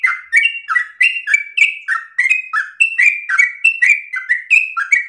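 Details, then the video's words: Yellow-vented bulbul in rapid, nonstop, long-breathed song offered as an easy model for other birds to copy: about 5 seconds of loud whistled notes, each dipping then rising, repeated several per second without a break. "Trucukan gacor ropel ngotot nafas panjang ini cengkok paling gampang ditiru trucuk bahan"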